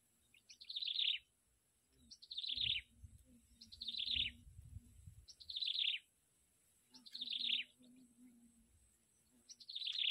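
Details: Yellow bittern at its nest, where the mother feeds her young by bringing up food: harsh, buzzy bursts of high notes that fall in pitch, repeated about every one and a half seconds over a low steady hum.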